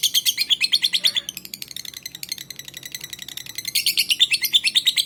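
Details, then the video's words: Palembang lovebird whose song is meant to lure other lovebirds into singing. Loud rapid chirps are followed by a quieter, softer stretch of chatter, then a loud burst of high chirping returns. "lovebird cupita 1 menit up"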